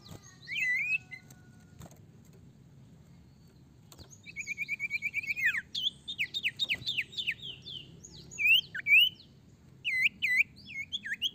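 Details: Sirtu song used to draw other sirtu into singing: a loud whistled note, then a rapid rattling series of notes, followed by varied looping chirps and downslurred whistles repeated in quick bursts.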